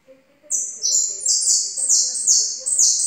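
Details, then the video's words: Yellow goldfinch delivering a continuous, fast, high-pitched warble of sharp twittered and buzzy notes, with a faint low voice in the background. "JILGUERO - amarillo"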